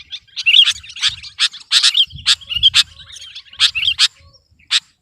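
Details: Sooty-headed bulbul (kutilang) singing hard to overpower an opponent: loud, rapid sequence of sharp chirps and rolling warbled notes, nearly continuous, ending in a few spaced single chirps.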